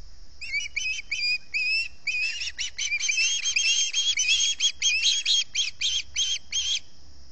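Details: At the Salt Point osprey nest on an August 2020 dawn, hungry birds beg in a long, insistent stream of whistled chips that quicken and grow louder midway, then slow to separate piercing notes.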